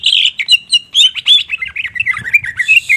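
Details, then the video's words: Greater green leafbird, called cucak ijo, in a short burst of gacor song: loud rapid chattering whistles and chirps, closely packed and slightly falling in pitch. "Cucak Ijo GACOR tembakan kluar semau"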